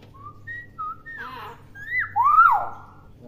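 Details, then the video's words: Tame, talkative common hill myna imitating human speech and other sounds it hears: a series of clear whistled notes, some flat and some bending down, ending in a loud rising, then falling whistle. Faint low hum beneath. "Beo Pintar Meniru Suara Apapun"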